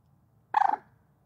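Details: Common moorhen giving one short, harsh, nasal call lasting about a quarter second, a buzzy croak with a few quick pulses, alone against a quiet background with a faint low hum.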